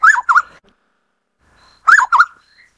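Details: Black-necklaced scimitar babbler, a Taiwan-endemic bird, gives two loud phrases about two seconds apart, each a pair of quick, looping, whistled notes, with faint higher notes after them and silence between.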